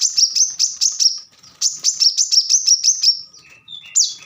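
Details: Plain-throated sunbird (wiceh) delivering two quick runs of shrill, sharp, high notes. The song ends with a couple of thin, lower wavering whistles.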